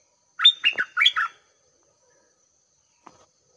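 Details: Decoy red-whiskered bulbul at six in the morning, luring an old wild bird that came down to fight; one quick phrase of four bright warbled whistles, then quiet with a soft tap.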